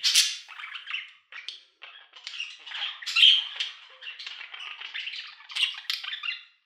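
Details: Pet budgerigars in a quiet indoor setting, meant as calming sounds for sleep; dense scratchy warbling chatter with squawky notes and brief high squeaks, continuous with short pauses.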